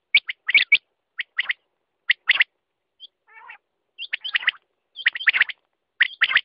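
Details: Quail uttering clusters of dry, raspy chirps with occasional looping whistled notes, and a soft low warbling phrase in a quiet stretch.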